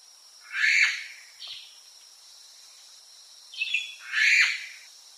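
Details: Azure-winged magpie calling: two loud, harsh, rasping bursts about three and a half seconds apart, each joined by a shorter, softer grating note, over a quiet background.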